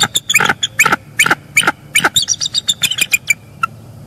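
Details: Wild bald eagle pair at their nest in northeast Florida on an early January morning, captured by live nest cam during incubation; the female calls and the male arrives. Rapid series of high, sharp piping and chattering notes, about two or three per second, with light background hiss.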